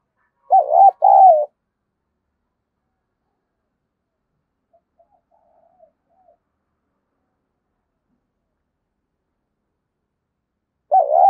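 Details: Decoy spotted dove calling to attract wild doves: a brief pair of low wavering coos, a long near-silent stretch with faint murmurs, then another coo at the very end.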